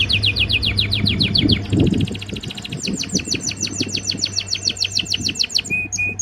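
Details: Canary singing during breeding season to impress a female: quick repeated chirped notes, a fine fast trill, then long series of evenly spaced sharp chirps and closing whistles, with low hum.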